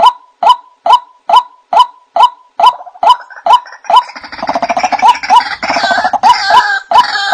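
A White-breasted waterhen gives loud, hollow croaks, about two a second, then breaks into a dense, gurgling run of overlapping croaking notes.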